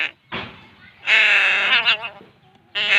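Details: Crow chick begging while being fed: hoarse, nasal, harmonic-rich squawks in three bursts, one long sustained rasp in the middle, clean background.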